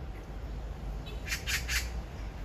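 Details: Magpie in the morning, phone-recorded: a rapid burst of three grating, rasping chacks in under a second, rising from a faint opener, against a low steady hum.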